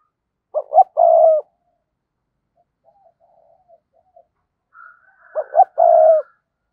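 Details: [3, 'Decoy spotted dove calling to attract wild doves, giving a stuttered then long rolling coo, faint low murmurs in the gap, and a second coo phrase overlapped briefly by a higher, thinner drawn-out call from another bird.']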